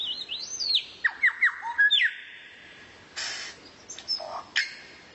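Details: Rare-bird tutor song used to train a kacer, the White-rumped shama: high looping whistles slide into a series of falling whistled strokes, then a long steady tone, raspy bursts and sharp upswept notes.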